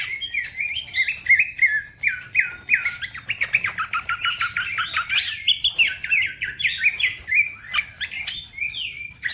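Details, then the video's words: Green leafbird singing fast and energetically while other birds join in: rapid strings of repeated, down-slurred chirps about three per second, with scratchy high notes and a brief squeaky burst midway. "The green cucak bird makes noise, other birds also become gacor"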